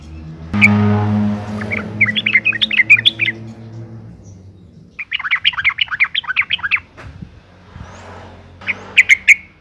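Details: Female sooty-headed bulbul in breeding condition calling to males, used as a lure to make other bulbuls sing: bursts of rapid chirpy, slightly squawking notes in three clusters, preceded by a low droning hum at the start.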